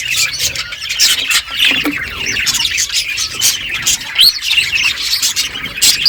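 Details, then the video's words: Feeding budgerigars give a continuous babble of warbling chirps and harsh little squawks, many birds calling over one another. "Beautiful budgies colour eating and chirping sounds"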